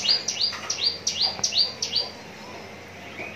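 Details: Caged Javan bush lark in Tangerang, said to be ready for contest singing, rattling off a quick run of high, sweeping chirps, each falling sharply, around three per second, before going quiet near the end.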